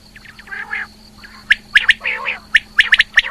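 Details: Calling female rain quail, recorded in 2020; quick sharp notes come singly and in pairs after softer, raspier lower sounds, over a constant low hum.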